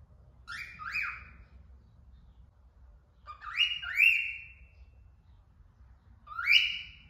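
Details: Cockatiel; song; calling out to birds outside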